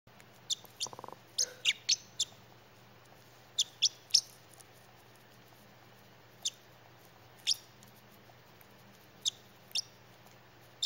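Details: Young female pet parrotlet chirping with excitement while eating broccoli: sharp, very high, brief chirps in loose clusters of two or three, separated by quiet gaps, over a steady low indoor hum.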